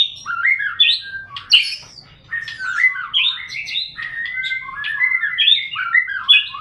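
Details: White-rumped shama (murai batu) song for morning and evening, played to lure other shamas into singing: a rich, fast stream of varied whistled and warbled phrases jumping between low and high notes, with brief pauses.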